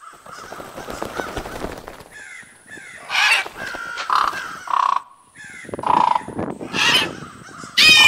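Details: Crows calling near a back patio: harsh, loud caws in short bursts of two or three, roughly every second, with quieter rustling and background chatter between the calls.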